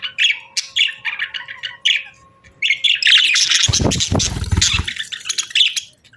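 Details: Breeding-season budgerigar pair chirps in a series of quick, scratchy high notes, then bursts into dense, noisy chatter with a rustling, broadband sound before calming again.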